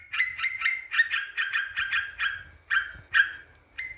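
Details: Yellow-vented bulbul song used to lure and anger rival birds: a string of bright, slurred chirps about three per second, thinning to a few separated notes at the end.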